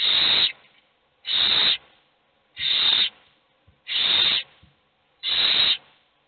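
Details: Owl chicks, all hungry while only one eats, begging in the nest: five long, harsh hissing screeches spaced evenly about every one and a quarter seconds over a quiet background.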